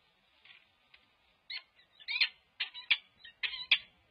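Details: Peregrine falcon pair at a nest box on 16 December 2022 during a bonding display, the newly arrived male also scraping there: harsh, chipping notes rising from soft to loud, repeated in quick rhythmic pairs, in an otherwise quiet setting.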